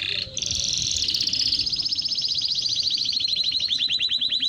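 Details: A canary's song, offered for bird training and to stimulate females to mate: a fast, continuous high trill of rapid repeated notes, shifting into a slower rolling series of bright chirps near the end.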